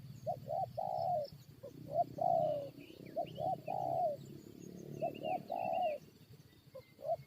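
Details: Spotted dove set out to lure wild birds into fighting, cooing in repeated phrases of two quick short notes and a drawn-out falling croo, about every second and a half, with distant high chirps and low rumble.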